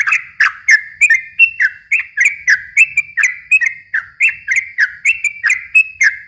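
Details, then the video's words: [5, 'Yellow-vented bulbul in a long continuous song used to provoke young birds, with lively chirping whistles delivered about three to four per second in an even, bubbling stream.'] "suara kicau trucukan gacor ropel panjang ini ahlinya buat pancingan trucuk bahan muda"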